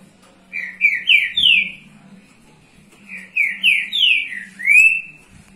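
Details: Green-winged saltator from Rio de Janeiro singing to warm up young birds: two bursts of loud, slurred, rising whistles, about four or five notes each, the last note drawn out, over a low steady background hum.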